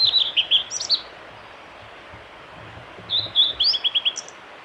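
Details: A male blue-and-white flycatcher sings on a forest track at Lake Miyagase, Japan, on 25 April 2016: two high, clear phrases of slurred whistles, each ending in a quick run of repeated notes, separated by a quiet pause.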